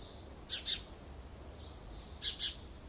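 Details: Short-toed Treecreeper pair preparing a nest box in pine, kermes oak and mastic woodland beside citrus groves, Alzira, Valencia, February 2016: high, thin, sibilant notes, with two bursts of quick double chirps about two seconds apart.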